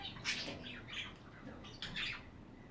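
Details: Budgie chatter made of harsh, scratchy squawks and raspy chirps in several short bursts, close and somewhat indoor-sounding.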